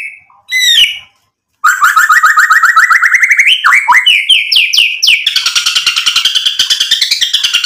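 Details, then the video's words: White-rumped shama song meant to provoke rivals into replying, full of imitated phrases: a few clear whistles, then a long run of rapid, evenly repeated rising notes that shift into dense, harsh, buzzy trills. "MURAI BATU GACOR bikin EMOSI lawan jadi NYAUT BUNYI BONGKAR MATERI ISIAN"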